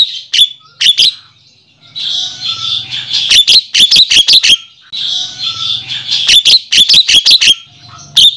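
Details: Lure recording of Javan myna for attracting males in the wild: harsh, buzzy hissing passages broken by rapid runs of loud, dry clicking notes, repeating in a steady cycle.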